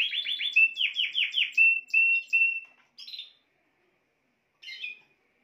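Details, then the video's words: Spanish timbrado canary song ending: a fast metallic trill slowing into several drawn-out whistled notes, then silence broken by two short chirpy bursts. "chant des oiseaux timbrado espagnol"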